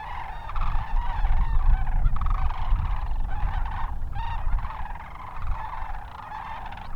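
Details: A wintering flock of sandhill cranes in the Hatch Valley, southern New Mexico, north of Las Cruces: many birds calling together in a dense chorus of rattling, trumpeting notes over steady low rumble.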